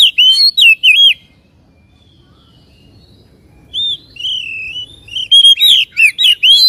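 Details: Oriental magpie-robin lure song to quickly excite a bird and make it spread its tail; clear whistled notes at the start, a pause, then a rising, accelerating series of bright slurred whistles and ticks.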